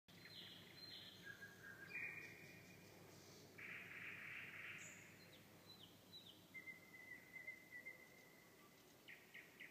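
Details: Nightingale singing at night: a varied phrase of long level whistles, a dense buzzy burst, sharp high chips and a rapid run of clicks, in a quiet setting with a soft low background hum.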